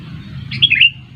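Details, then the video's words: A single quick bubbly phrase from a sooty-headed bulbul, played to lure birds to a trap: a few slurred, descending whistled notes lasting half a second over faint low hum. "Pikat kutilang jitu _ pikat burung kutilang seru"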